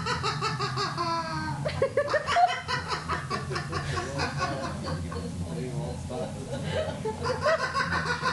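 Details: People talk and laugh throughout, with snickers and chuckles over a steady low background hum.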